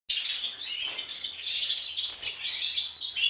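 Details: Young European goldfinch singing a dense, continuous twittering warble of quick chirps and trills, high and bright, with short buzzy notes woven through and no clear pauses across the few seconds.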